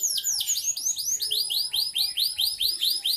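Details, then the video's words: Canary in full, energetic song: a rapid high trill of arched, rising-then-falling notes repeated about twice a second, steady and bright throughout, with faint low background noise. "Suara burung Kenari kalitan gacor"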